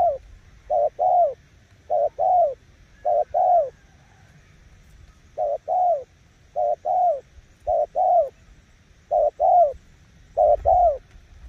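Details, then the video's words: Spotted dove decoy bird cooing: clear two-part phrases, a brief coo followed by a fuller falling one, repeated about every second with a short gap midway, in a quiet setting. "Nước gù ae tự đánh giá, mồi yếu gặp thứ này chắc cũng thua"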